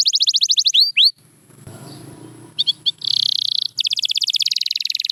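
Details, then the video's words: Canary song for singing practice: a quick pulsed trill and two swooping notes, a stretch of quiet low rustling, then a buzzy tone and a long rapid rolling trill. "Watch Silent Canaries Start Singing Again – Magical Sound Inside!"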